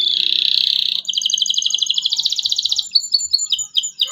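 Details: Local canary singing vigorously with excited 'cuit cuit' chirps, played to prompt young canaries to learn to sing: a dense buzzy trill, then a rapid run of repeated high notes, ending in separate descending whistled phrases.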